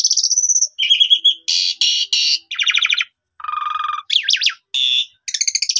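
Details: Asian pied starling song used as a lure to boost another starling's confidence and draw out its full repertoire: a rising whistle, buzzy harsh bursts, rattling trills and a low churring phrase, separated by short pauses.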